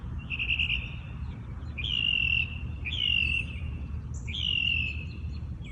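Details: Birds singing in the early morning in their natural habitat; repeated bright whistled phrases, each about a second long, recur every second or so over a steady low rumble of background noise.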